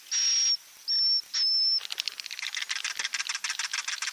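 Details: Roosting lure for swiftlets: three hissy, whistle-edged bursts open the sequence, then a fast, uneven run of sharp high clicks and twitters takes over.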